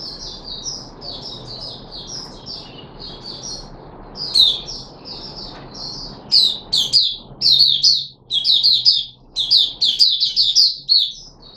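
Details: Caged red-whiskered bulbul (Puteh Raja), 13 April 2021, after a special fruit juice and one mealworm: loud, clear bursts of rapid whistled and chirped notes, growing more energetic and choppy toward the end, in a quiet room.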